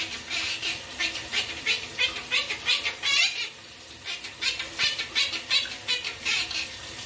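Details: A pet monk (Quaker) parakeet in the shower, while its owner calls this singing the Bacon Pancake song. It chatters in harsh, scratchy bursts, about three a second, over the steady hiss of running shower water.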